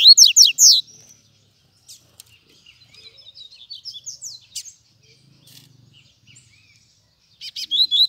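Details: Double-collared seedeater that appeared out of nowhere gives bursts of loud, high, rapid chirping notes at the start and end. Softer twittering and scattered chips fill the quiet middle.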